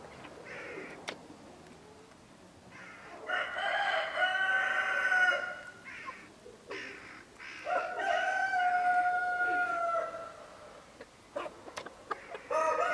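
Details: Partridge Araucana chickens, a Chilean domestic breed: two full, sustained crows about four seconds apart, each held for roughly two seconds. Short clucking bursts and scattered knocks fall between and around them.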